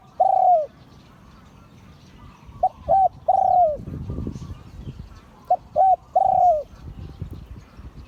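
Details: Spotted dove of an auspicious line crowing in Liu Tan style, three phrases about every three seconds, each of quick short coos ending in a long, slowly sinking note; soft low rumble between phrases.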